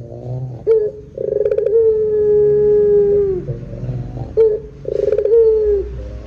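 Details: Drawn-out 'pelung' cooing of a Barbary dove used as a lure: two long, gently falling low coos, each introduced by a quick rolling trill, with soft deep murmurs underneath and between them.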